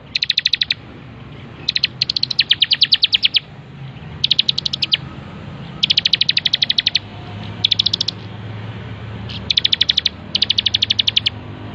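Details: Bar-winged prinia (ciblek) singing persistently for a master recording used to train birds: bursts of rapid, sharp, evenly spaced high notes, each burst under a second, repeated about every second or two over a low steady hum.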